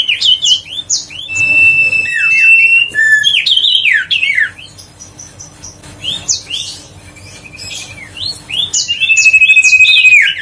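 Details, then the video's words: Huyt co bird lure song meant to stir lazy birds into singing: long flat whistled notes held for about a second, alternating with quick looping, slurred chirps and warbles, in bursts with quieter gaps. "tiếng chim huyt co siêu sang chảnh//giọng nói để tăng ham muốn chim huyt co"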